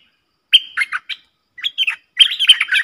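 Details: Dueling streak-eared bulbul pair, recorded 30/10/2021 as a lure: short groups of sliding, slurred notes separated by brief silences, ending in a louder busy chatter.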